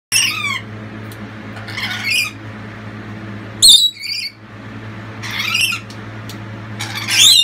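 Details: Lorikeet family loudly supporting the youngest chick as it leaves the nest box; harsh, screechy high squawks in short bursts every second or two over a steady low humming background.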